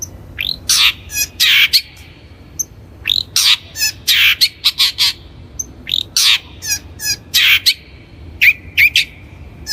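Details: Long-tailed shrike singing energetically, used as a lure recording for training young birds: harsh, scratchy broadband notes and squawks in quick clusters, with a few thin tonal whistles mixed in and short pauses between bursts.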